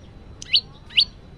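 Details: A male olive-backed (lumut) prinia gives two short, sharp chirps, high-pitched and rising, about half a second apart, with faint low background noise.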